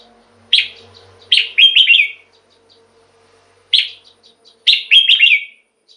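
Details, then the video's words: Song of a caged red-whiskered bulbul, meant to make other bulbuls lively: repeated bright phrases of a sharp note followed by rolling whistles, with a faint low hum at the start. "เสียงนกกรงหัวจุก สำหรับต่อ หรือ เปิดให้นกคึก เสียงเพราะๆ"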